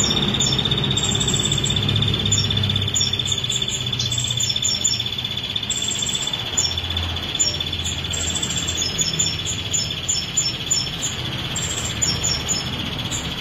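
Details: Female ashy prinia in a continuous song bout lasting 22 seconds without a break: fast series of sharp, very high chips and short trills, tightly repeated throughout, over a constant high-pitched electronic hum and low rumble.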